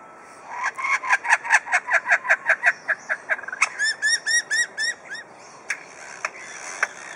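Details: Captive superb lyrebird at Adelaide Zoo, Australia, mimicking other sounds, among them drill, saw, hammer, kookaburra, magpies, whipbird, magpie-lark and lorikeets: a fast run of about twenty sharp clicking notes, then a series of looping whistled phrases.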